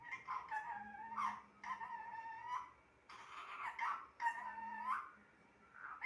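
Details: A talking pet parrot produces a string of drawn-out, voice-like phrases with bending pitch, nearly continuous, over a faint low hum indoors.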